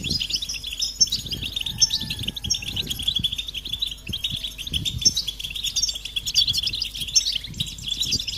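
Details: European goldfinches calling as a group, mating and readiness calls meant to stimulate males to sing; dense high twittering chirps run continuously, overlapping from many birds, with low rumbling background noise.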